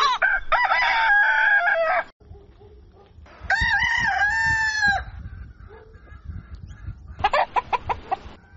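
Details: Several crows from a rooster at dawn: a long loud harmonic crow, a second crow with wavering start and falling tail, then short choppy notes, over steady low background noise.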